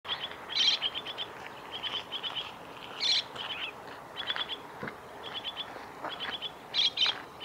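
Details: Chestnut-cheeked starling at the Kitafuji training area, Japan, 2 July 2017: bursts of short chirpy notes in quick rattling runs, several overlapping calls with brief louder squeaky notes, steady background hiss.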